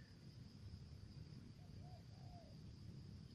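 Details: Spotted dove used as a decoy, calling in the 'thổ dế' style with 'dập' and 'mai rừng' voices: a quiet three-note coo, short, short, then a longer drawn-out falling note, over heavy low hum.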